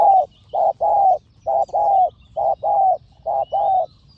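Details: Spotted dove at a decoy lure, both birds said to be fierce. Steady, mellow coos come in rapid pairs of a short and a longer note, repeated without break. Thin, rising whistles from other birds sound faintly in the background.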